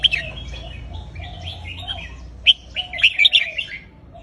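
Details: Caged red-whiskered bulbul singing phrase-counted song: soft warbled notes early on, then a loud burst of bright, bubbly whistled phrases around the middle, against a low steady background hum.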